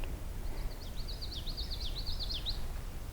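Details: A Common Yellowthroat in a big wetland at Beaver Meadows, Allegheny National Forest, on a hazy mid-afternoon, sings a quick run of bright, rolling three-note phrases, repeated rapidly for about two seconds over a steady low wind-like rumble.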